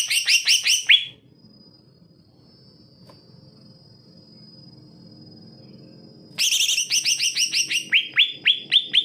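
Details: Greater green leafbird singing hard, played as a tutor for birds lazy to sing; a brief burst of stacked whistled notes, a long quiet gap with a faint steady high tone, then another run of sharp, falling chips.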